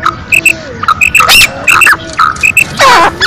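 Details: Female black francolin giving paired, clipped notes in rhythmic groups, repeated about every 0.7 seconds, with brief louder raspy bursts between them.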